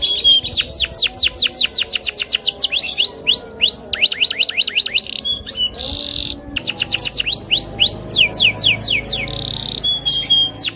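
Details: Caged loper canary singing aggressively to challenge a rival: rapid trains of steeply falling whistled notes, trills and buzzy rattles, with brief harsh bursts between phrases.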